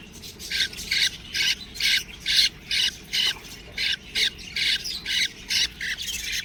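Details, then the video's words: Budgie chicks giving rough, grating squawks in an even series, roughly two each second, separated by short pauses. "budgies babies| cute birds| chirping sound"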